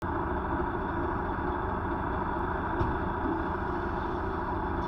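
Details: A steady low engine-like drone with an idling rumble runs throughout, and no animal sounds are heard.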